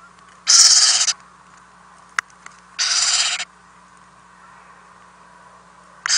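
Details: Overnight at a nest house, owlets fed by their parents on April 10, 2018, nest camera: two long rough hissing screeches about two seconds apart, a sharp click between them and another screech starting at the end.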